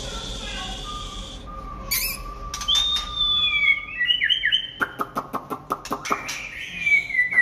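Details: White-rumped shama singing in the late afternoon: a low steady whistle, then clear slurred whistles rising and falling, followed by a rapid series of about ten sharp clicks and a final descending whistle.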